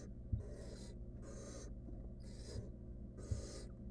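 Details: Barn owl nestling, wild, inside a research nest box with a stolen rodent, giving long breathy hissing rasps, four in four seconds, with soft knocks and a constant low hum beneath.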